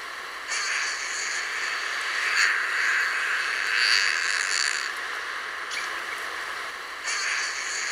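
A Harris's Hawk gives a long, harsh, grating rasp lasting about five seconds, then starts another after a short pause. No other sounds stand out.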